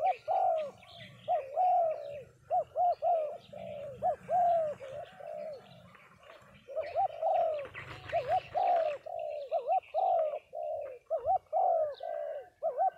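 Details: Several spotted doves coo together at a dove gathering in Đồng Tháp, Vietnam. Soft, low cooing phrases run almost continuously and overlap, with a brief burst of rustling noise near the middle.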